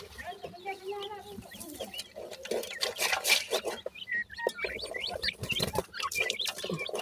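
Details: Nestling grey francolins feeding: a stream of thin, high chirps and slurred peeps, busier in the second half, with a few lower tonal notes early and some rustling.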